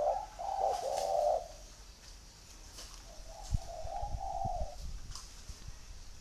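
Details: Spotted dove cooing: two low, hoarse drawn-out coo phrases each about a second long, with a quiet gap between, over background hiss and some low thumps.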